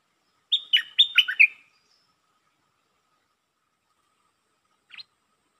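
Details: Red-whiskered bulbul singing in the style called lak ber: one quick phrase of five loud whistled, chirpy notes with falling slurs, then near silence and a short faint note.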